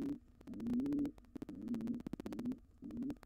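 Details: Intruding wild pigeon pair in a nest box after the resident pair's nestling fledged. A few low, warbling coos run together, broken by a burst of rapid knocking and scratching.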